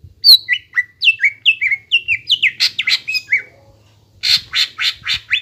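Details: Song of a greater green leafbird, offered as a singing model for young birds: a run of clear down-slurred whistles, some chattering notes, a short gap, then a closing series of harsh raspy bursts.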